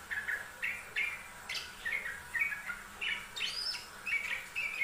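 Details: Yellow-vented bulbul song from a training master recording: rapid string of short, gurgling whistled phrases repeated roughly every half second, some slurring upward, with light background hiss.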